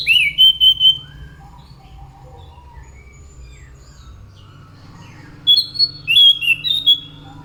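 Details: Scaly thrush (anis macan) singing lively: a quick burst of clear whistles, a long quiet stretch with faint distant chirps, then another run of bright sliding whistled notes.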